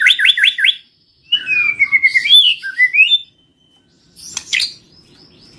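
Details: Bird-catching lure song of a white-rumped shama: rapid looping notes, then a long wavering whistled phrase rising at its end, followed after a pause by harsh scratchy notes.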